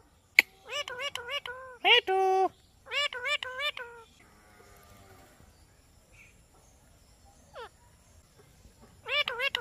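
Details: Indian ringneck parakeet talking: bursts of nasal, harmonic, speech-like syllables in quick runs, a short harsh note near two seconds, a quiet pause with faint rustling, then another run of syllables at the end.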